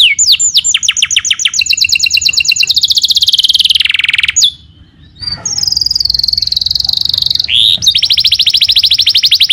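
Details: Canary song, loud and close: fast rattling trills of repeated high notes that slide downward, a sustained buzzy roll, a brief pause, then a steady high whistled trill and a final rapid repeated phrase.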